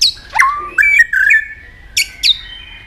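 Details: White-rumped shama singing in competition, tail flicking: long sliding whistles and a drawn-out steady tone, broken by sharp descending high flicks.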